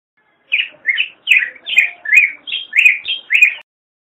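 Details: A Black-headed grosbeak gives a clear, loud song phrase of nine or ten robin-like whistled syllables, each a quick up-down slur, delivered evenly over three seconds.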